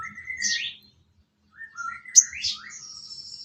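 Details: Sooty-headed bulbul song used as filler training material for songbirds: two bubbly, warbling phrases that rise and fall, separated by a short pause, ending with a thin high sustained whistle.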